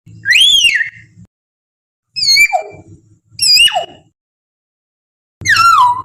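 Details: Wild common hill myna forest call, used as a lure to get captive mynas singing quickly. Four loud, ringing whistled notes with rich overtones, each sweeping up then dropping steeply, separated by pauses of about one to two seconds over a faint low hum.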